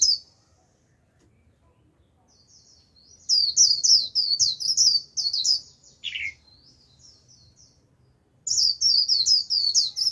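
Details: Japanese white-eye kept as a decoy to attract a wild flock: after near silence, a burst of rapid high chirping twitter, a single lower descending note, quiet soft twitters, then another bright rapid run.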